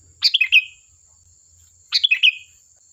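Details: Lively sooty-headed bulbul song used as a lure recording: two rapid, liquid, chuckling phrases of several notes each, about one and a half seconds apart, with a thin continuous high tone underneath.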